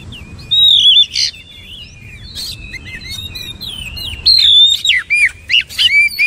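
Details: Oriental magpie-robin giving bright whistled phrases and quick rising and falling slurs, with a loud burst early on and another run of strong, repeated twisting notes near the close.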